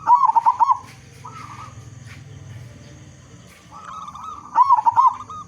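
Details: Local zebra dove, loud-voiced and in full song, used as a lure to get other zebra doves singing: quick bubbling, wavering coos near one pitch, a burst at the start and again near the end, with low steady hum between.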